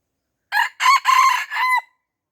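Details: Red junglefowl from Aceh, surrounded by young birds and refusing to fight, gives a harsh crow broken into four segments over about 1.3 seconds, the final note held steady before dropping away; nothing else audible.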